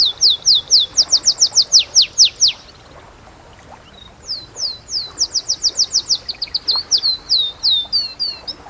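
A canary sings quick runs of high, bright, downslurred notes, each repeated rapidly in rolling trills, with a brief pause before a fresh varied run begins.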